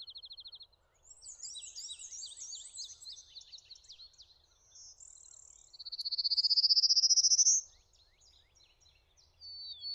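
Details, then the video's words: Male Prairie Warbler singing on territory in Connecticut in May while its mate gathers nesting material; one loud, rapid series of buzzy notes climbs steadily in pitch over about two seconds, after fainter songs from other birds sharing the habitat. "Prairie Warbler singing"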